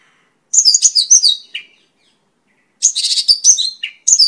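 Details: Mongolian lark singing, intended for training and luring: two dense bursts of high, rapid twittered notes with falling slurs, split by a silent gap of about a second.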